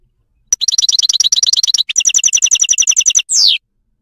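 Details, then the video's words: Wild goldfinch from Morocco singing: fast, even twittering trills of bright paired notes, then a second higher trill, ending in a short sweeping buzzy note. "song of the moroccan wild goldfinch"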